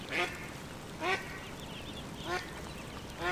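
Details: Quacks of a duckling on a pond: four brief, harsh, rising-edged calls roughly one second apart, separated by quiet gaps with faint background noise.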